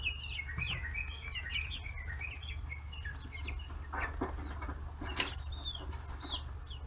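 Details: Forty-day-old free-range chicks in Kitahiroshima, Hiroshima Prefecture, Japan, crowding around fish heads; scattered high, short peeping chirps, some downward-slurred, over a steady low hum and occasional knocks.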